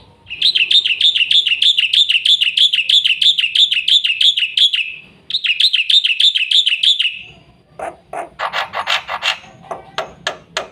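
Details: Full, fast Black-winged myna song meant as a tutor for young birds: long runs of evenly repeated bright chirps, a brief gap, another run, then a string of loud, harsh rasping notes.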